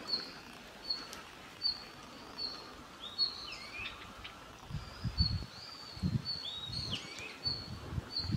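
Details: Red-flanked bluetail recorded on New Year's Eve, 31 December 2022, giving short high whistled call notes at a steady pace, less than a second apart, over faint background noise with low rumbling toward the end.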